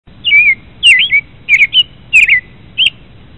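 An American robin gives five clear, warbled whistled phrases, each rising and falling, about every half second to second, some topped by thin, high squeaky notes.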